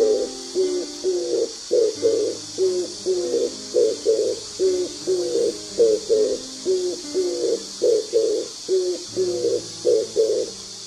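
Oriental turtle dove giving soft, low, hoarse coos in short grouped phrases, repeated steadily over and over, with a faint low hum underneath.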